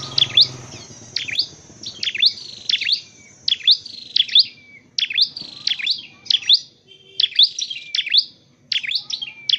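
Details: Dark-necked tailorbird, a bird trained for trapping, sings sharp, high, downslurred-then-rising notes in steady pairs and triplets, with a faint whistled tone and low hum behind.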